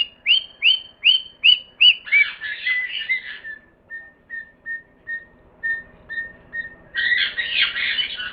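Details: Parrot calling: five loud clear whistles about every half second, some raspy chatter, a run of soft repeated whistled notes, then a harsh squawking burst.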